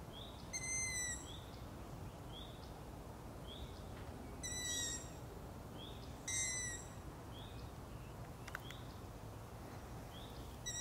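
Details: Long-eared owl owlets calling at night: several high, creaky, squeaking whistles, some loud and near, others faint and shorter, repeated every second or two against a constant low rushing noise.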